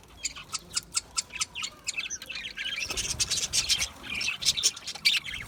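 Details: Aviary budgerigars give clear separate chirps at first, roughly two or three per second, then break into dense overlapping chatter and warbling from several birds.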